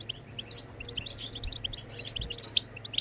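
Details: European goldfinch song meant to prompt other birds into singing: quick high twittering with clear whistled accents around the middle and end, over a steady low hum.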